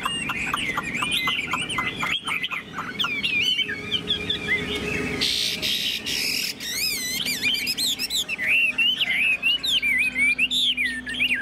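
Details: Caged Chinese hwamei, a tamed male with fanned tail, singing: varied whistled and warbled phrases, rising and falling slurs, bursts of rapid notes and a harsh noisy patch midway, with a steady low hum behind.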